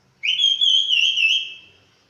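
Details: Chestnut-capped thrush just out of moult, delivering a single strong, sustained whistled phrase with a slight warble that fades out after about a second and a half.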